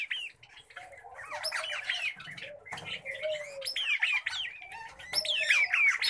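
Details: Several pet common babblers utter rapid, uneven series of sharp, upslurred squeaky notes and harsh squawks. A soft, low whistle glides beneath them, with a faint rustle in the background.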